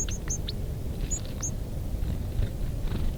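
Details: A group of White-crowned sparrows gives thin, high, sharp chips: a quick burst of four, then two more a second later, over a steady low rumble.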